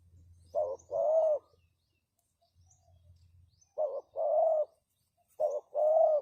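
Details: Decoy spotted dove cooing to lure birds, three matching phrases spaced about every one and a half seconds, each a short note followed by a longer steady coo, with quiet gaps and faint low hum.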